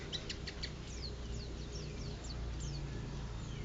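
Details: White-eye singing at a contest in Lerep, Karangawen, Demak, Indonesia, called a champion and a persistent singer: a few quick high chips, then a run of sharp descending whistled slurs over constant low background hum.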